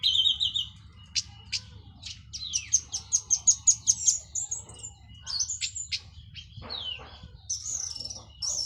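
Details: Local Cililin orange-headed thrush, finished moulting, in plong and teler style song: a high chattering run of quick repeated notes, then varied scratchy phrases and rising whistles, over a low steady hum.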